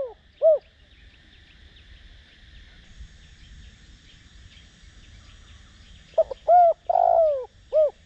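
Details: Decoy spotted dove cooing in the 'Đồng Rặc' voice style to stir rivals into calling. One mellow note comes early, then a hooting multi-note coo phrase after six seconds, with continuous faint rhythmic insect chirps and low background hum.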